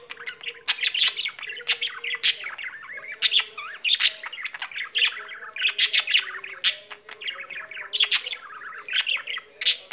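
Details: Caged pet budgie in full song, a busy stream of scratchy chirps, clicks and short whistles in rapid bursts, with no pauses over ten seconds and a steady faint hum in the background.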